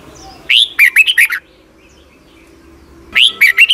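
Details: Caged-bird training song of a Red-whiskered bulbul from Thailand, meant for young birds to learn: a quick phrase of bright, wavering whistled notes, a quiet gap with soft background hum, then a second similar phrase begins.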